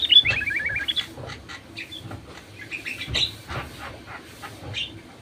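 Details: Sooty-headed bulbul lure song for prompting silent bulbuls to sing: a quick rippling phrase of falling notes at the start, followed by scattered softer chirps and clicks.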